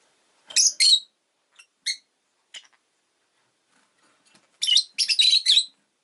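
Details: Kept rosy-faced lovebird with a loud double chirp, a few isolated short squeaks, then a fast, dense burst of buzzy, screechy chattering notes.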